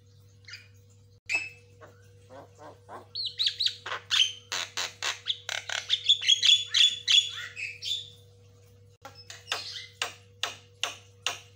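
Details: White-rumped shama song used as a fast lure and master recording for training birds: a rapid run of sharp clicks and chips building into dense whistled and buzzy phrases, then separate chips repeated about three per second, with a steady low hum.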